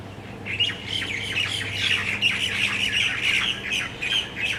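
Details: Tropical birds settling to roost at dusk in exotic trees and palms on Maui give a continuous, busy chatter of shrill chirps and squawks over a faint low hum.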